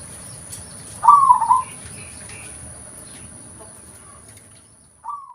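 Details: Local zebra dove lure call: a single clear rolling coo phrase early on, then quiet background hiss and a faint soft coo starting at the very end.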